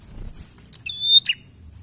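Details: Single phrase of Bar-winged prinia song used as a lure to make other birds sing: a thin, high, level whistle that swells, then breaks into quick sharp chip notes, over a low background hum.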